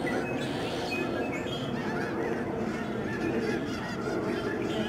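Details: Loud, massed honking from huge flocks of snow geese swirling down from the sky at Alaksen National Wildlife Area, Delta, BC, Canada, in March 2011; countless harsh nasal calls overlap into a steady roar without pauses.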